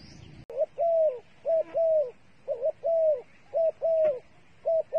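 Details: Dove used as bait calling close and loud after a click: repeated pairs of a short coo and a longer falling coo, five pairs in about four seconds.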